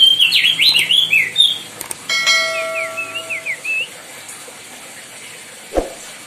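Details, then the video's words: Song of a White-bellied bushchat from the Lesser Sundas, recorded loud for tutoring other birds: a quick jumble of bright slurred whistles, then a ringing bell-like chime under a further run of short rising whistles, and finally a single dull knock. "DECU TIMOR GACOR DOR LANGKA UNTUK MASTERAN BURUNG LAIN"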